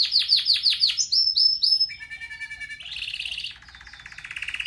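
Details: Red factor canary, a singing pet bird used for training, delivers a bright high song: a run of rapid downslurred notes, sustained whistles, then buzzy trills, clean with no other sounds.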